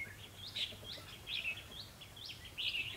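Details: Bulbul song from a decoy bird set for trapping in Vietnam: quick bright slurred whistles, rising and falling, delivered in a rapid run of about six short phrases over a low background hum.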